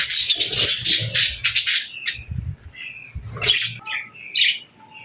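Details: Budgie and lovebird chicks at feeding time: rapid harsh chattering for the first two seconds, then scattered short whistled chirps and squeaks with low bumping noises.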